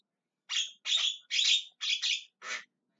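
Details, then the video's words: Javan myna calling with a string of five harsh, drawn-out rasping squawks, the last slightly lower and rougher. "JALAK KEBO TERIAK TERIAK MEMANGGIL"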